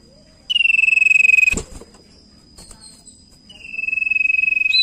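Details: Common iora, recorded for use as a lure to get other birds singing, gives two long steady vibrating whistles separated by a pause, with a sharp click between them.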